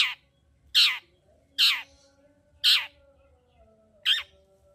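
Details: Long-tailed shrike in full, energetic song, used to rouse reluctant shrikes into singing: five harsh, raspy, downward-sweeping notes about 0.8 seconds apart over a steady low electrical hum.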